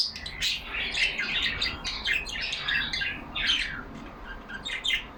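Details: Pet budgerigars in a cage, some yellow, chattering together: rapid warbling, twittering and grating squawks run together in a steady, cheerful babble with brief dips in volume.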